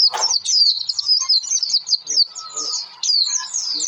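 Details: Oriental white-eye lure song to get other birds singing: a busy stream of high, sharp, slurred twitters in rapid succession, with a short lower note and faint background sounds.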